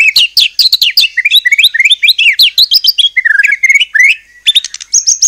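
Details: Vigorous white-rumped shama song meant to trigger rival shamas to sing back: rapid cascades of whistled, up-and-down slurred notes packed tightly together, then a brief pause and a few ringing high chirps.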